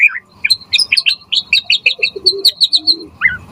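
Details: Full, varied song of a white-rumped shama, used as a lure to draw quick replies and for tutoring: a rapid series of sharp chirps and whistled notes at an even pace, with a faint low background murmur.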